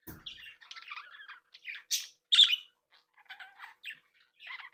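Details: Budgerigars in a captive breeding group, playing and interacting; soft chattering twitter broken by gaps, a couple of loud raspy squawks in the middle, then sparse chirps.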